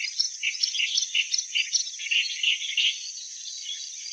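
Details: Rhythmic chattering from a clamorous reed warbler: loud, husky notes repeated about three times a second for most of the clip, then fading. A faint high hiss continues throughout.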